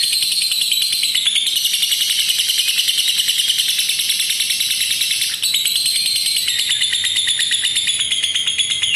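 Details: Lovebird giving its long ngekek trill, played as a master lure to teach other lovebirds to trill long: a continuous, dense, buzzy high chatter sustained almost throughout, with a brief break near the middle.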